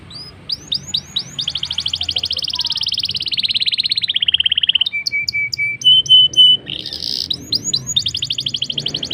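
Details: Rolling song of a black-throated canary, used to coax canaries into singing quickly: rising whistles lead into a long rapid trill sliding downward, flat sustained notes, crisp high strokes and a final fast high trill.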